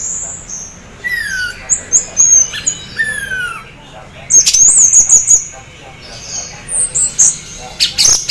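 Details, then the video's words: Half-breeding-condition orange-headed thrush giving a lure song for other thrushes, mixing clear whistles, long descending slurs and a loud burst of high jumbled chattering mimicry, phrases coming in quick succession. "anis merah teler setengah birahi bagus untuk pancing anis lain agar ikut bunyi"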